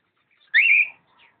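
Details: Cockatiel from a pair, recorded 05.06.11, giving a single loud whistle of about half a second that sweeps upward, holds a slightly wavering pitch, then fades, with faint chirps before and after.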